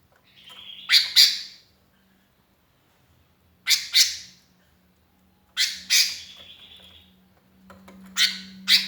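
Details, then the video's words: Lonely sooty-headed bulbul calling to companions as a lure: sparse pairs of harsh, squawky notes every couple of seconds over a low steady hum. "kutilang kesepian gacor mangil kawan jos buat pancingan"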